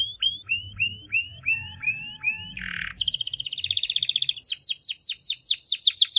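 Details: Canary singing a varied song: a series of rising whistled notes, a short buzzy burst, then a rapid even trill and a run of fast repeated downslurred notes, all high-pitched and clear.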